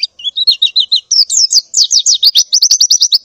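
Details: Morning call of a female white-eye in breeding condition seeking a mate. Several wavering high notes step downward, then speed up into a rapid run of sharp chirps repeated many times a second.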